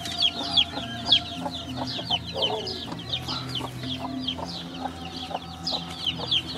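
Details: Chicks giving soft, high downslurred peeps, fainter and more scattered, against a steady low hum.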